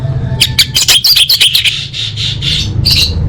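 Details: Orange-headed thrush song meant to coax caged birds into singing: rapid sharp chirps and bright warbled phrases, then softer blurred notes and one final high burst, with low hum beneath.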